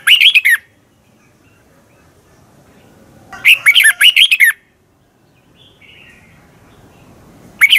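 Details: Thai Red-whiskered bulbul recording made for song training: short bursts of rapid, sweet warbled notes recur every few seconds, with a faint thin whistle between phrases and low background hiss.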